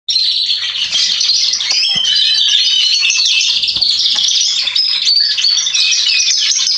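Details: Male Atlantic canary singing, recorded 27.10.2020: a dense, unbroken stream of high twittering and rapid trills that holds steady throughout, with a faint low steady hum underneath.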